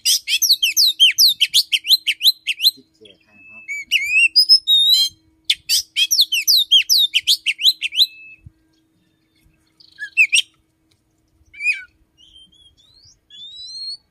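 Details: Oriental magpie-robin singing in the morning, its song mimicking the voice of a flowerpecker (chim sâu đầu đỏ). High, thin, rapid chirps and ticks come in dense bursts, then sparser short notes and brief whistles after a pause.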